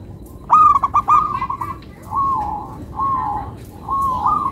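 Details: Local zebra dove (perkutut lokal), a hobby songbird, with a bright stuttering burst of cooing notes followed by three longer drawn-out rolling coos spaced about a second apart.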